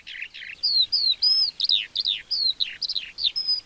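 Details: Lark song, used to mark territory and attract a mate: clear descending whistled slurs and short chirps repeated in a lively series against faint background hiss.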